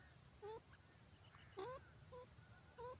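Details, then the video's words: Grey francolin, a male, known locally as teetar, calling: short two-noted rising whistles, a lower and a higher tone together, repeated at uneven gaps about every half to one second over low background rumble. "desi teetar bird voice"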